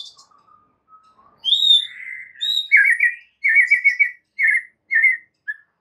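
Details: Singing white-rumped shama used as a master song to excite caged shamas; soft low notes, then a clear high whistle and buzzy downslurred notes, followed by short chattering bursts separated by brief pauses.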